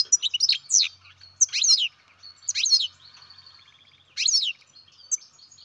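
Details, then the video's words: Captive-bred baby European goldfinch giving bursts of high twittering and downslurred chirps, with thin drawn-out whistled tones between the bursts. "Καρδερίνα εκτροφής μωρό (Goldfinch carduelis baby"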